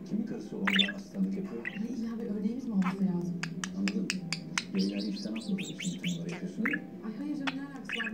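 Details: A young male pet budgerigar that talks chatters in a raspy, rapid voice, mixing Turkish speech-like mimicry with clicks and bright warbled chirps.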